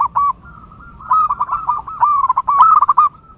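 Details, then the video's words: Zebra dove (perkutut) recorded to train and lure birds. A short coo is followed by a burst of rapid, rolling, stuttering coos that rise slightly at the end. "SUARA Mp3 Burung Perkutut"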